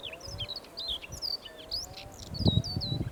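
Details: Siberian rubythroat singing in July 2020: quick varied phrases of high whistles and scratchy warbled notes, with a faint steady low hum and some low rumbling underneath.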